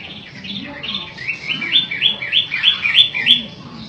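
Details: Matahari-type long-tailed shrike in full song, softer notes building into a rapid, regular string of rising hooked notes about three per second, with low background murmur.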